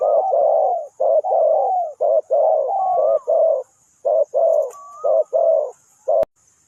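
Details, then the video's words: Spotted dove kept as a decoy bird for trapping, Ninh Thuận: low, hollow cooing phrases of short clipped notes and longer drawn-out coos, repeated about once a second, with a faint thin whistle in two places and a brief click near the end. "นกเขาใหญ่สายต่อดิน,The Sound Of the dove"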